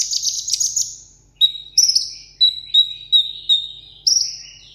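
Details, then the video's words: Pet sunbird singing solo for a contest in Vietnam: a buzzy high trill, then a run of clear falling whistles repeated about three times a second. "hút mật 7 màu hót đấu solo"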